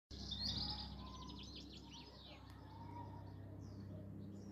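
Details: A black redstart sings in the evening on 29 June 2022, a brief, high, scratchy twittering phrase that trails off after two seconds, over a steady low mechanical hum.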